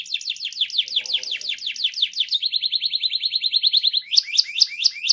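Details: Canary song in rolling style, meant to prompt other canaries to sing: quick repeated descending notes, then a fast even trill, then louder sharp downward notes.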